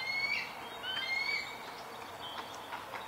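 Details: A juvenile eagle calling for its breakfast gives thin, high whistled notes, each rising slightly, three in quick succession and then fainter ones, over a steady background hiss.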